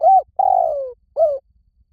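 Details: Spotted dove of the 'liw tan' style cooing, meant to lure a dove into cooing back. A rounded coo, a long coo gliding lower, and a short end coo, all mellow and close.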